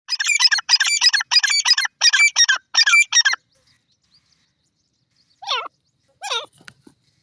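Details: Grey francolin (dakhni teetar) during a fight: a loud, harsh, rapid series of about seven ringing bursts over three seconds, then silence and two short descending squawks.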